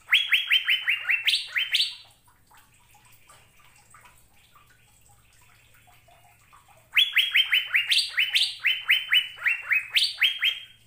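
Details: Asian fairy-bluebird song used to train caged birds. Two bursts of rapid, rising whistled notes, each with higher notes near its end, separated by several seconds of quiet with faint twittering.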